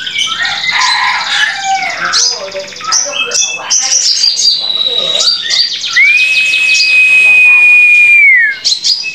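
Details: Young white-rumped shama, 1.5 months old, singing a dense, varied song of chattering trills and slurred notes, then a long, steady whistled note that falls at its end.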